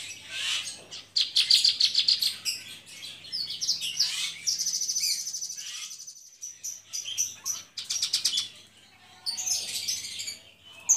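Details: Captive Javan bush lark (Horsfield's bush lark, Mirafra javanica) with mottled plumage singing vigorously: a fast, varied stream of buzzy trills, chirps and thin high whistles, brief pauses, faint low hum behind.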